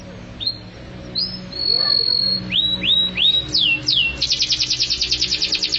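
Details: Canary singing in the style called mabok teler: a high held whistle, several downward-sliding whistled notes, then a fast buzzy trill of rapidly repeated high notes, with a low hum underneath.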